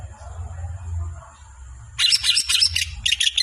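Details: Songbird bursting into a fast series of harsh, buzzy, chattering notes after a quiet start, running on for over a second with a short pause, over faint low background hum.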